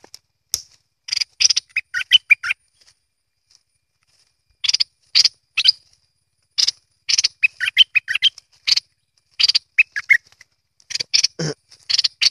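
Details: Bulbul (merbah lekir or kuning) pouring out repeated bursts of quick, clipped, bubbly notes that come in uneven groups with short silences between.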